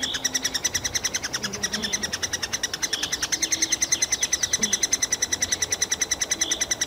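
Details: Three-toed woodpecker chicks in a tree hole, Kalinovsky forest park, Yekaterinburg, crying for food nearly all day: steady fast train of shrill high peeps, about three per second, with faint low background sounds.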